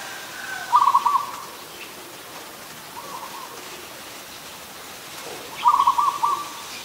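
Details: Zebra dove, an adult, in Ubon Ratchathani, Thailand, 24 December 2020: two bursts of quick, stuttering, rolling coos about five seconds apart, with a fainter similar phrase between them, over steady hiss.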